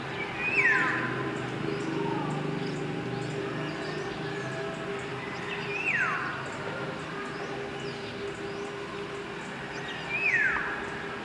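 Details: Philippine oriole (Antulihaw), endemic to the Philippines, singing in the city: three clear whistled notes that slide steeply downward, spaced about five seconds apart, over a constant low mechanical drone and faint urban noise.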